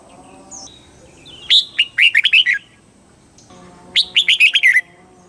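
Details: Red-whiskered bulbul from Thailand singing the southern master-style pattern to excite birds and train young ones: two brisk phrases of six or seven bright, tumbling whistled notes about two and a half seconds apart.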